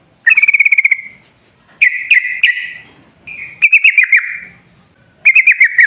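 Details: Sooty-headed bulbul recording used as a lure for other bulbuls: four short bursts of rapid, ringing chirps, each a fast trill of bright notes fading into a drawn-out tone, separated by pauses of about a second.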